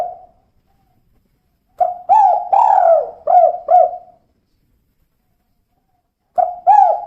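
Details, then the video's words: Female tekukur, a spotted dove, calling kuk-kuk: a trailing coo, a pause, a five-note phrase of mellow hooting coos with a drawn third note, another long silence, then two more coos. "Suara Burung Tekukur Betina Kuk 2"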